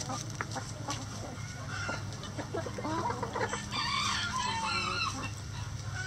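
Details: Flock of chickens in a coop clucking and eating: rapid irregular clucks building into a louder cluster of harmonic, wavering calls near the end, with constant low hum beneath.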